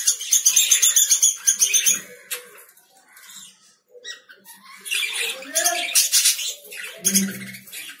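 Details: Lovebird chatter of fast, harsh, buzzy high notes repeated about four per second, a pause with faint sounds, then more squeaky chirping and a short lower sound near the end.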